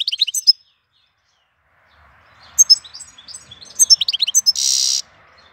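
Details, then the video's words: April song of a European goldfinch: a short burst of high twittering notes, a pause, then liquid chirps building to a dense, harsh buzzy note. "Cântec sticlele luna aprilie"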